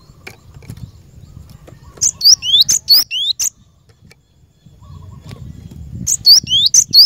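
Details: Cinereous tit (glatik batu) song meant to lure and train caged birds. Quiet low background gives way to a short run of sharp chips and rising whistles, a pause, then a second similar run.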